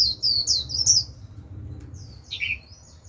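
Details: Caged white-eye lure bird singing to draw in a wild flock: a few high, thin, twittering phrases, a short pause, then a lower slurred note, over a steady low hum.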